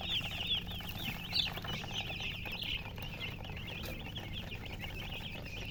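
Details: A crowd of newborn chicks calls loudly, with bright wavering peeps packed closely together and repeating irregularly throughout, one sharper chirp standing out, over a low background hum.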